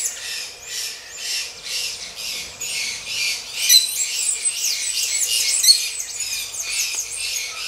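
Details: Grey-breasted parakeets mating, starting with rhythmic raspy squawks about twice a second, then breaking into a denser jumble of harsh screeches and chatter.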